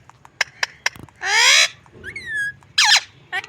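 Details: A pet parrot producing odd, funny noises: sharp clicks, then a broad harsh squawk, a thin whistled note, and another rasping burst.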